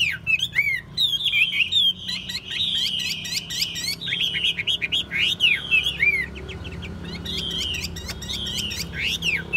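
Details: Caged Chinese hwamei kept for song and fighting contests, singing energetically: dense chains of quick warbled whistles and sweeping slurs, delivered about four notes a second with short breaks, over steady low background noise.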